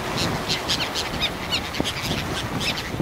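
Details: Hundreds of Bonaparte's gulls forage along the Lake Erie shoreline at Pointe Mouillee, Michigan, giving short, harsh, nasal calls in quick overlapping bursts, several every second, over steady wind and a low rumble.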